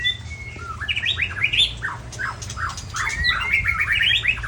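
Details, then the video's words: Large-bodied white-rumped shama from Ujong Pancu, Aceh, delivering a varied song of quick rising and falling whistled phrases and chirps, rich and continuous, over a low background hum. "Murai Body Besar Ujong Pancu Aceh"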